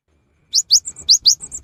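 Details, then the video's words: Short burst from a vigorously singing cinereous tit, a rainy-season lure: two pairs of bright, high upslurred notes, each pair followed by softer flat chips. "GELATIK BATU GACOR | PANCINGAN AMPUH SAAT MUSIM HUJAN"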